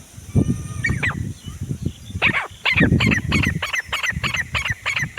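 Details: Grey francolin calling, a steady run of loud, ringing, repeated notes that quicken into a regular series, over low rumbling background noise.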